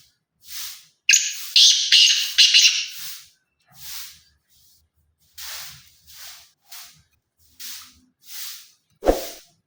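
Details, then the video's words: A black francolin's grating, buzzy multi-note call sounds for nearly two seconds amid a series of regular soft hissing puffs, ending with a short low thump. "کالا تیتر کی آواز"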